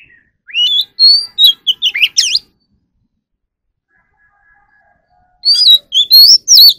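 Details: Magpie robin (chòe than) in song training for competitive singing: two bursts of clear whistled notes, rising and falling slurs with sharp upswept flourishes, separated by nearly three seconds of silence.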